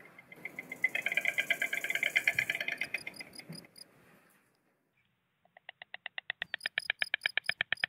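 White stork giving a harsh, buzzy hiss of rapid pulses for about four seconds, then after a pause a quickening series of short, nasal, tonal notes.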